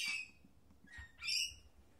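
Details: Mating pair of lorikeets perched on a computer monitor indoors, sharing grapes; two harsh, high screeching squawks, the first at the start and a louder one about a second later, with a quiet room behind.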